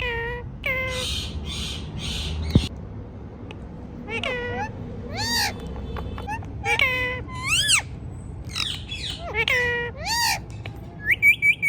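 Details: Indian ringneck parrot talking, said to repeat the word "Mithu"; a run of short, nasal, squawky voiced syllables with bending pitch, some rising and falling sharply, spread across the clip over a low steady background hum.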